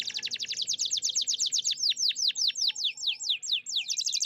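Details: Loud canary song of fast repeated down-sweeping whistled notes, about four to six per second, shifting to deeper sweeping notes midway, steady and rhythmic.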